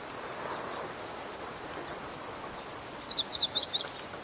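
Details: Meadow bunting in a fallow rice field's reed bed, April 2021: after a few seconds of quiet rural hiss, a short series of four high, sharp descending chirps.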